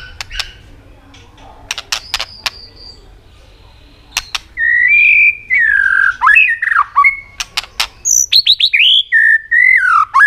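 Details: White-rumped shama in competitive, many-voiced song, with repeated clicking, aimed at rousing subdued birds. Scattered sharp clicks precede long, smooth, rich whistles that slide down and up, followed by rapid downslurred notes.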